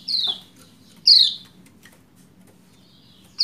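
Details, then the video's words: Female Lombok white-eye calling a male to get him singing: two clear descending chirps, high and thin, sliding downward, about a second apart, with a third starting at the end; quiet low hum underneath. "Ciak Ciak Pleci Lombok Betina Memanggil Jantan Supaya Cepat Gacor"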